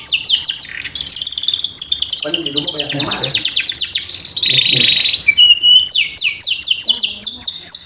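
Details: Young-canary training lure of canary song: rapid high trills of repeated notes, a brief lower noisy patch in the middle, then a sustained buzzy roll and a fresh series of sharp descending notes.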